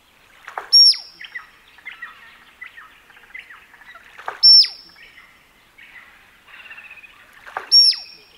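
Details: Male musk duck in display gives a loud knock followed by a piercing high whistle, repeated three times about every three and a half seconds, with softer chirps and splashy sounds in between.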